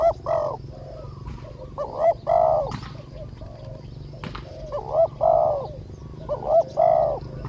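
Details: Spotted dove used as a decoy to lure a wild bird, the 14th catch, whose voice is small. Short two-part coos, low and mellow, come in irregular bursts over steady low background hum.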